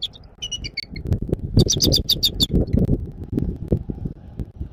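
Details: Bald eagle calling at a nest in Southwest Florida, 14 January 2024, 06:36: a quick run of high, thin, piping notes with rich overtones, clustered in a chattering burst after a few softer chirps, over steady low wind rumble.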